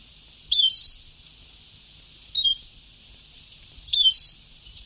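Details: European goldfinch singing Ceuta-style (sabtawi) song from a very old tape recording: three short bright twittering phrases, each under half a second, separated by pauses of about one and a half seconds, in a quiet background.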